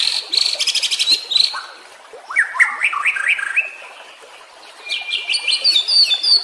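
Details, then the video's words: Training song of a White-rumped shama for caged birds gone quiet: a rapid buzzy rattling burst, then a series of rising slurred notes, a pause, and a closing run of quick high chirps. "Masteran murai batu anti zonk cocok untuk murai batu yang macet bunyi"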